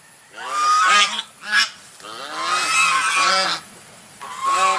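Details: White swan giving loud, nasal honks in bursts: a long honk, two short ones, then a drawn-out sequence of several linked honks, with a final honk after a brief pause. No other sounds stand out.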